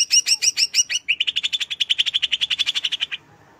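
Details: Greater green leafbird song with a few clear two-tone chirps that break into a fast, steady trill of clipped notes, roughly eight per second, stopping abruptly; a track intended to arouse other birds.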